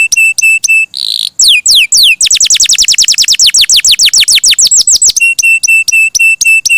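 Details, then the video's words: Canary singing loudly: clipped high notes, a short buzz, then a long run of rapid downward-sweeping whistles, closing with repeated short, sharp, evenly spaced notes. "Suara Burung Kenari!!! GACOR MERDU"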